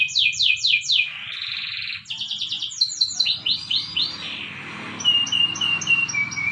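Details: Canary training song, morning: three sharp down-sweeps, a sustained buzzy trill, quick rolls and arched notes, then a string of spaced high pips over low background noise.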